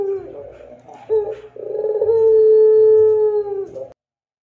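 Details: Long, clear pelung song of a Barbary dove, suited for training other doves: a few short, rough introductory notes, then one sustained, even coo of about two seconds that fades and stops.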